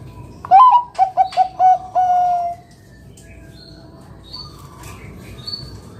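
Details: Zebra dove of the Bangkok perkutut type singing as a lure for other doves: rising first coo, four quick clipped notes and a long level coo, followed by faint distant bird calls.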